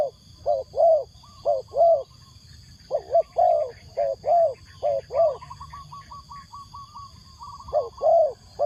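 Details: Decoy spotted dove calling wild doves with paired mellow coos, while a second bird adds a rapid run of higher, evenly spaced piping notes in the middle; steady high hum throughout.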